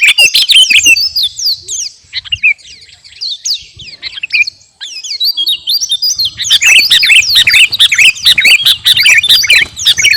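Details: A captive garuda-type sooty-headed bulbul in vigorous, competition-ready song. Busy chirps and whistles fade to near quiet around the middle, then return as a dense, loud stream of fast notes.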